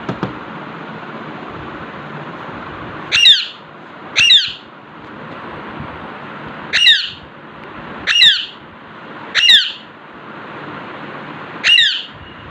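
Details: Alexandrine parakeet chilling indoors in front of a mirror calls six times in harsh, shrill squawks, some in quick pairs about a second apart, others spaced two to three seconds, with quiet room hiss between.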